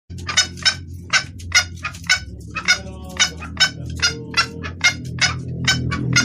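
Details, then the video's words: Female red junglefowl calling to the male, a clear call used to lure males: short, sharp, bright clucks repeated irregularly about twice a second, some in quick pairs, over a steady low hum. "Suara ayam hutan betina gacor pangil pejantan"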